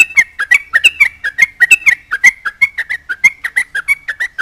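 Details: Sooty-headed bulbul singing profusely to taunt rivals and draw replies from other bulbuls: rapid run of short, bubbly chattering notes, roughly three per second, sliding between mid and high pitch, each with a sharp clicky onset.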